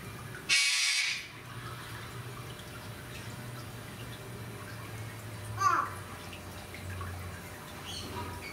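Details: A galah at Fukuoka Municipal Zoo, Japan, on 23 April 2019 gives one loud, harsh screech near the start, then a shorter, rasping note about five seconds later, over a low steady hum.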